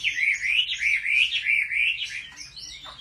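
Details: Chinese hwamei singing at home during competitive song training: a rich run of wavering, looping whistled phrases repeated several times a second, ending in higher, sweeping notes.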